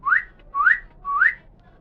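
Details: Talking common hill myna, a pet bird kept to mimic greetings, gives three rising whistles, each sweeping upward and repeated about every half second, in a small quiet room.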